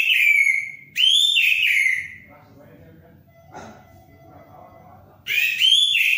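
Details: Orange-headed thrush in vigorous song: ringing whistled slurs, a drawn-out falling note and a rising-falling phrase, separated by a quiet gap with faint murmuring.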